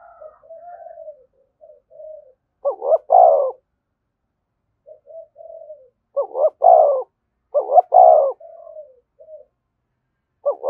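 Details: In thúc gù style near a decoy bird, a spotted dove alternates low soft rolling murmurs with loud phrases of two quick notes and a long mellow coo, about four phrases.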